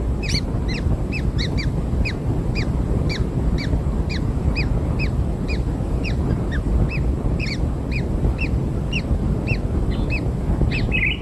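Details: Kingfisher chicks just hatched and being fed black insects: a steady series of short, peaked squeaks at an even, fast pace, with a dull low rumble throughout.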